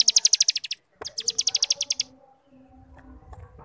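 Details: Cigun ngebrem song for training young birds: two quick bursts of high, buzzy pulsed trilling, followed by near silence with faint low hum.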